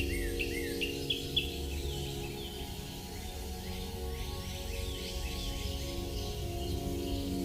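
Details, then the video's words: A small pet bird gives quick chirps and rising whistled notes over the first seconds, then softer chirping, over a steady low hum and background music. "A calming sound effect with my little bird"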